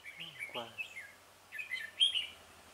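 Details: Decoy Red-whiskered bulbul singing at a trapping site to draw in rivals, 17 November 2017: warbled whistled notes in two bursts, the last loud and high, with a man's voice speaking briefly underneath.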